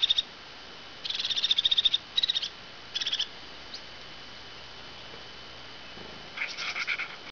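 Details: A crested tit gives its call before taking cheese in autumn or before bathing in summer: high, rolling, purring trills in half-second bursts, four in quick succession, then a pause before a final trill.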